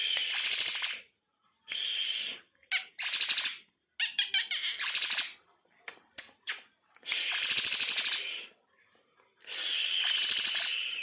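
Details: Black-winged myna singing a song with church-bell mimicry, in harsh broadband bursts about a second long, some noisy and squawking, separated by short pauses, with scattered clicks between phrases.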